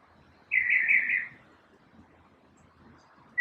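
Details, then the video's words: Morning song from one unidentified bird: a short warbled phrase just under a second long, followed by quieter low background rumble and the start of another note at the end. "Birds chirping | Bird chirping sounds | Bird singing | Morning bird sounds"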